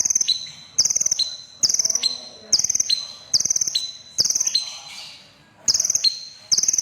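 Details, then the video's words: Crimson sunbird in full song: rapid, very high chittering trills in regular bursts, a brief pause midway, then the bursts resume. "Burung KONIN Kolibri Ninja DAMER Dada Merah Gacor || CHIRPING SOUND ||"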